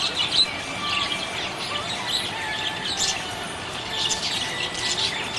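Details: A happy budgie warbles continuously, giving soft, scratchy high chatter with occasional brighter chirps and brief rising whistled notes, fairly even in loudness throughout.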